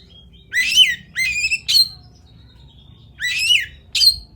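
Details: Fighter-style Oriental magpie-robin giving raspy, rising squawks and a bright ringing note in two short bursts separated by a second of near silence, over faint low background hum.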